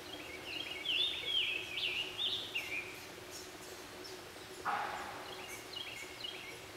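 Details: Red-headed woodpeckers (Melanerpes erythrocephalus), a male and female feeding young inside a nest cavity in Jefferson County, West Virginia, 3 June 2013: a harsh, raspy churring run for about two seconds, then a soft thump and a few shorter scratchy notes, over steady background noise.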